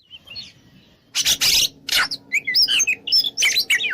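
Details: Oriental magpie-robin, a lure song in the open 'ngeplong' style to provoke rivals to fight. A rough, harsh burst comes first, then a run of quick, looping whistled notes. A faint low hum runs underneath.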